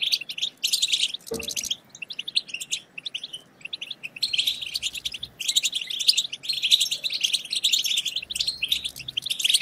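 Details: European goldfinch twittering to stimulate other goldfinches: an opening volley of high chirps, a short buzzy rattling trill, then long runs of rapid, bright, jingling notes.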